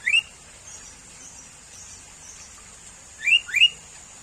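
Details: Sooty-headed bulbul, a familiar neighbourhood bird: one brief upslurred whistle, a long gap, then a close pair of rising chirps, against a steady high hiss.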